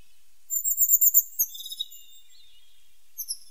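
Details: Tit singing: one rapid run of about ten very high, thin notes that fade toward the end, followed by a brief pause and two short high chirps.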